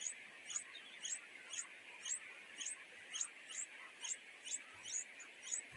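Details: Two greedy nightingale chicks in the nest begging their mother for food: thin, very high chirps repeated about twice a second, eleven in all, over a steady insect-like hiss.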